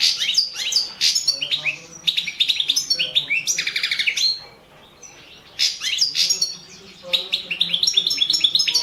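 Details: European goldfinch, Balkan subspecies balcanica, singing for a 2017 world championship: lively twittering phrases of trills and slurred chirps, with one silent break of about a second and a half before the song resumes.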